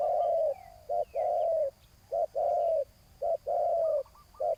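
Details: Spotted dove cooing at a ground decoy meant to draw in a rival: alternating short and long deep, smooth coos over a faint steady background hiss, with soft high chirps.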